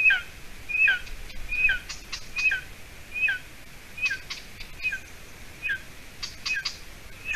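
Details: Golden eagle chick, 53 days old, at a Latvian nest on 30 June 2020 around 6:20 p.m., the adult female delivering roe deer hide. Shrill, high, descending calls repeat roughly every 0.8 seconds, mixed with scattered clicks and rustling at the nest.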